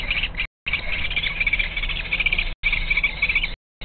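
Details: Two common kestrel chicks sheltering on a shelf under a ceiling as their mother brings prey, 23 June 2023: continuous harsh, buzzy, trilling calls with brief gaps and a low hum beneath.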